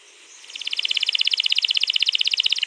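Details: Canary in a long rolling song (ngerol), recorded 21 April 2022 as a prompt to get other canaries singing: a rapid, even roll of bright high pulses swells in after half a second and continues steadily.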